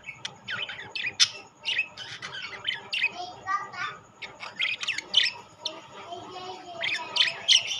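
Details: Budgerigars of rainbow and classic colour varieties kept together, giving dense, continuous high chirping and warbling chatter with sharp squawks and rapid overlapping notes, several birds calling at once with a faint steady hum behind.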